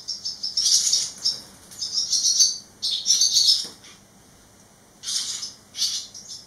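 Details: Barn swallow fledglings, three young birds back at the nest site eleven days after fledging, giving dense bursts of high, thin chirps in overlapping clusters, with short pauses between the bursts and faint fluttering.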